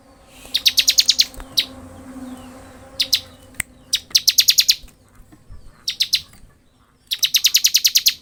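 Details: Persistent ngebren song from a bar-winged prinia: fast chattering trains of high, ringing chips, some bursts of eight to nine notes, interspersed with shorter clusters and single clicks.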